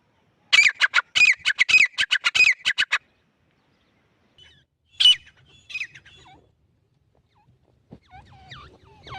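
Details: Grey francolin pair, male and female, giving a fast burst of about a dozen squawky, grating notes over two and a half seconds, then a pause and a few scattered, fainter notes with low rumbling noise.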